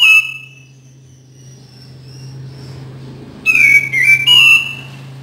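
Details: Cream-vented bulbul song, played to stimulate birds that rarely sing: a short whistled phrase at the start, then a louder burst of clear, slightly warbling whistles with rising and falling notes near the end, over a steady low hum.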